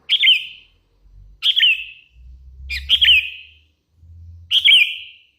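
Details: Lively hand-raised sooty-headed bulbul repeating a short whistled phrase with a downward slur four times, about every one and a half seconds, over intermittent low rumbling background noise.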